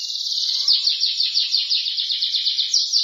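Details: Canary in lively continuous song, a dense high rolling trill of rapid repeated notes that shifts slightly in pitch and speed, running unbroken for the whole stretch with no other clear sounds.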